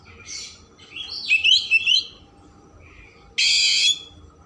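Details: Oriental magpie-robin in rich-filler 'isian mewah' song, meant to stir emotion and tail opening: a buzzy high phrase, then a bright twisting whistled run, a pause and a loud harsh rasping burst.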